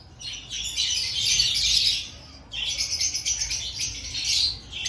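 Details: Aviary lovebirds, active ahead of breeding season, twitter and squawk in two long bursts of piercing chatter separated by a short quieter moment.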